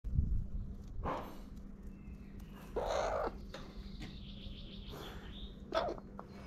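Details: A family of crows at a feeder gives three harsh, hoarse caws spaced a couple of seconds apart over a steady low hum, with faint chirping from small birds.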